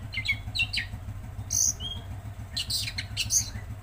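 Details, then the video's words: Lively Tledekan Laut song: quick bursts of high, thin chirps in short clusters, a brief descending whistle in the middle, then more rapid chirping phrases, all above a constant low mechanical drone. "Masteran Burung Tledekan Laut Gacor"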